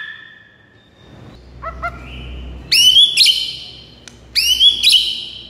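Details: White-rumped shama (murai batu) song used to rouse a silent bird: a long steady whistle, then short stacked notes and two loud bursts of sharp, sweeping whistles with bright upper tones, over low background hum.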